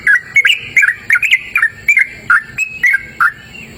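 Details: Sooty-headed bulbul in full song in a cool, open natural setting, giving bright chirps and short slurred whistles in quick, uneven succession, some notes held briefly level before the next sharp note.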